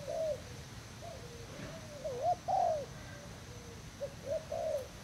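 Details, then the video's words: Spotted dove from Thailand kept as a decoy bird, recorded 18 June 2018, utters spaced, soft coos, a drawn-out lower note linking them, then a short closing pair. "Cu gáy thailand mồi trần dây"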